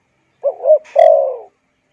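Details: Spotted dove call used to lure wild doves and train decoy birds: a low two-part coo followed by a longer, drawn-out croo that falls slightly in pitch. The background is silent.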